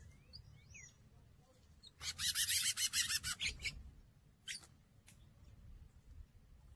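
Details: Two male double-collared seedeaters (Sporophila caerulescens) fighting at a feeder: a few thin high chirps, then under two seconds of harsh, buzzy, rapid aggressive chattering, with a sharp click afterward.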